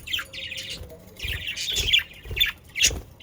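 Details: Pet budgerigars chattering, the warble used to encourage other pet budgerigars to sing: short buzzy chirps and squawks in quick irregular bursts, with soft low thumps beneath.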